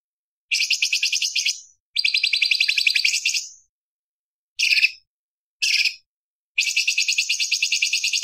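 A light-vented bulbul gives five bursts of fast, harsh, rattling chatter, some over a second long and some brief, high-pitched. No other sounds.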